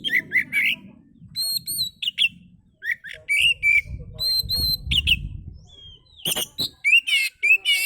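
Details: Oriental magpie-robin song meant as a lure for other birds: quick varied chirps, repeated high thin whistled notes and sharp clicks in steady bursts over a low rumbling background.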